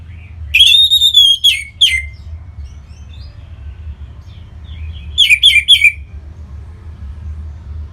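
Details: Orange-headed thrush, a kept songbird from northern Bali, sings to stimulate other birds: a long whistled phrase with a sustained high note near the start, then a short cluster of sharp chirps after a pause, over a low steady hum.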